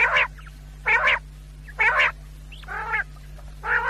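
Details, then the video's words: Night-time quail calls for hunters: evenly spaced rough, nasal bursts about every 0.9 seconds, one preceded by a thin upward-hooked whistle, steady mains-like hum underneath. "1 quail sound Great sound for hunters brothers رات کے لیے شکاریوں بھائیوں کے لئے زبردست آواز"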